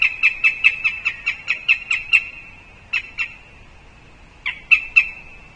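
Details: Northern goshawk calling at its nest tree in Riga on 20 October, the day the female came to visit. A fast chattering run of about ten harsh kek notes is followed by a pause, then short bursts of two and three notes.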